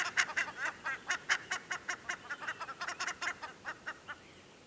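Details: A pale juvenile Black-faced Ibis begs an adult for food on a January summer day in a woodland meadow on Isla Teja, Valdivia, Chile, with harsh, rasping shrieks, about four a second in a rapid, uneven series; it bobs its head, and the adult ignores it.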